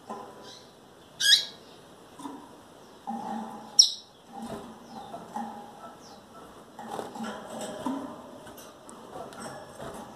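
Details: A female double-collared seedeater close to breeding condition calls repeatedly. Two bright, quick sweeping chips come about two and a half seconds apart, followed by quieter rustles and faint thin notes.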